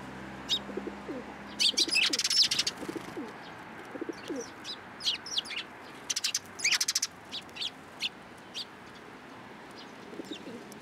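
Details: Sparrows coming onto a person's hand to be fed at a Tenmangu shrine in Japan, April 13, 2023; busy high chirping, several birds calling in quick clustered bursts, with wing flutters and faint low murmur.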